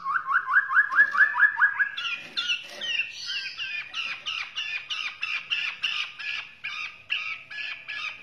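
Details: White-rumped shama from Borneo singing: a fast series of rising whistled slurs, then varied chattering and repeated sharp two-part phrases about twice a second.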